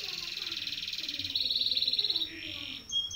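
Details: Canary rolling song for tutoring young birds, a rapid even pulsed trill lasting about two seconds, followed by a short buzz and thin whistled notes.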